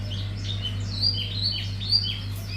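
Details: Hume's white-eye of the wiksar type, unloading its learned filler phrases: rapid high twittering with short descending whistled slurs and buzzy chips, over a constant low humming background.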